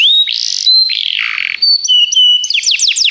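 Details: Singing canary for training: a rising whistle, a harsher buzzy segment, then level whistled notes and a quick series of falling chirps at the end, clear and close with no background.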